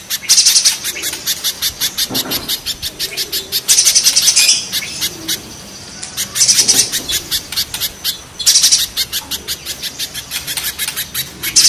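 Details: Spiderhunter, a comparison of the local 'pijantung gunung' and 'pijantung pisang' types: a fast string of sharp, high, evenly spaced chips, broken by louder, denser buzzy bursts near the fourth, sixth and ninth seconds.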